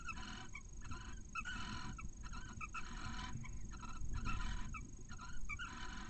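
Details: Inside a barn owl nest in Cabañeros National Park, Spain, where the male brings a mouse to the female and a newly hatched chick. Bursts of rapid, twittering harmonic notes repeat about every half second against low background rumble.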